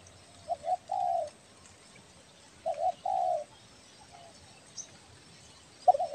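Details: Spotted dove (tekukur belah dada, Kepri type), vigorous calling for luring birds: two coo phrases, each a short doubled note then a longer level coo, with a brief start of a third at the end over quiet background.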